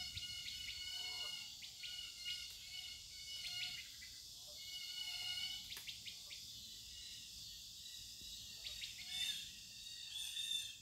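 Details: Birds calling outdoors in quick bursts of brief, high chirps, some in short runs and others single, scattered over a continuous high insect drone.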